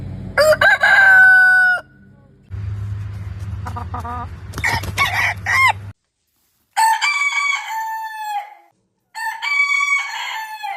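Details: Roosters crow in the morning: a loud wavering crow opens, then a stretch of low humming noise with faint choppy sounds, followed by two clearer crows that each slide gently downward, with silent gaps between.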